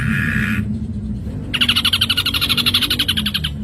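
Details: Ashy drongo song recorded to train songbirds: a brief harsh buzzy note, a pause with low background noise, then a long, rich rattle of quick, evenly repeated harsh notes.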